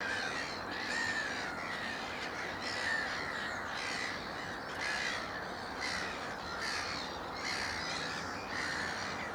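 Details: Juvenile black-headed gulls at Moors Pool wetland, Upton Warren, Worcestershire, UK, on 13 June 2019 give harsh, grating squawks, about one every two seconds, over steady background chatter from a busy colony.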